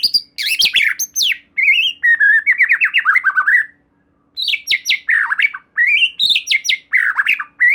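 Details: White-rumped shama (murai batu) singing a lure song to provoke another shama: bright whistles, stuttering trilled runs and scratchy notes, with one short pause mid-way.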